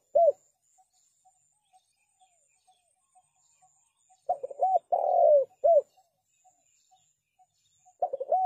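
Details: Spotted dove calling, a clean recording used as a lure for trapping doves. Short bursts of low, rounded cooing with rolling, arched notes come at the start, mid-clip and near the end, with faint regular ticking between phrases.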